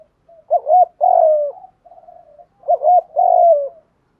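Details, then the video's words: Two cooing phrases from a spotted dove lure bird meant to provoke wild doves. Each opens with a clipped double hoot and ends in a sustained, mellow, downward-sliding coo, separated by a soft low hum. "tiếng chim cu gáy kích bổi nhanh nổi rất hiệu quả/ tiếng chim cu gáy mồi gáy giọng hay nhất"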